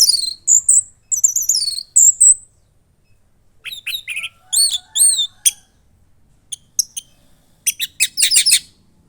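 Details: Young orange-headed thrush kept caged in Klaten, Central Java, singing: high slurred squeaky notes, repeated chirp groups and a closing burst of rapid stacked chips, with brief silent gaps.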